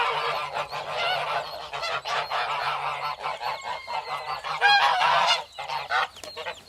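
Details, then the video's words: Several geese trade nasal honks and cackles, calls overlapping in uneven bursts, one louder sharp honk near the end standing out from the flock. "Гусь голос . Қаз дауысы"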